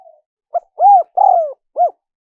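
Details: Spotted dove cooing, a lure recording for wild doves. A brief soft note, a clipped note, then a rounded coo, a long falling coo and a final rounded coo in a low, mellow, even phrase. No other sounds.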